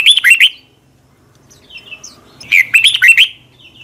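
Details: Red-whiskered bulbul singing in the morning, recorded in 2020 as a lure for training other birds, in a long twisting double-voiced style: two bursts of quick warbled, slurred whistles, one at the start and one near the end, with a quiet gap between.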